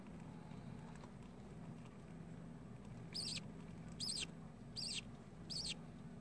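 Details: Budgerigar babies: after three seconds of steady low hum, four short, high, squeaky chirps arrive roughly once a second, each with a quick rise and fall.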